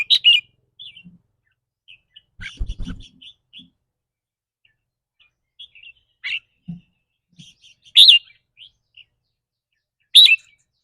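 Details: Caged red-whiskered bulbul singing in the rik rua or rik ble style, which varies with the bird's mood each day. Loud burry two-part notes recur every two seconds or so between soft short chirps, with faint low knocking.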